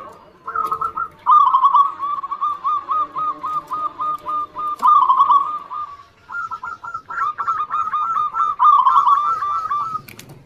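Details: Zebra dove song played to prompt lazy doves to answer: two long bursts of rapid, evenly pulsed, mellow coos, the second following a brief gap, with overlapping birds calling in the background.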